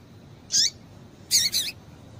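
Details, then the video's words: One high chip followed by a quick doubled chip from a female double-collared seedeater, a call meant to make the male sing. "Piado de Fêmea de Papa capim Vai deixar Seu Papa capim Cantando"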